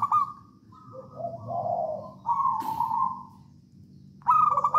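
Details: Zebra dove of local Javanese stock singing as a lure for other doves, with a series of soft cooing notes at varied pitch, then a sustained coo and a sudden loud bubbling trill at the end.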